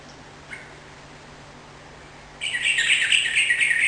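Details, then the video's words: Sooty-headed bulbul sounding energetic, meant to make a kept bird respond; after quiet, a rich chattering whistled phrase bursts in and runs to the end, with a faint chirp earlier. "suara burung trucukan gacor || jadikan trucukan mu ikut nyaut dan gacor"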